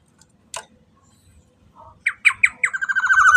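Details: Black-naped oriole lure sound for drawing other orioles into song. An isolated sharp note comes first, then a run of clipped accented notes that leads into a grating, rapidly pulsed nasal rasp, cut off at the end. Faint low rumble underneath.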